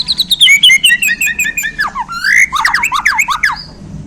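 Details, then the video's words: Borneo white-rumped shama, newly handled, singing isian: a quick descending series of bright chirps, a rising slurred whistle, then fast rhythmic chattering notes and a thin high tone, with a faint low hum. "Murai Borneo Ini Langsung Kasih Isian Pedas!"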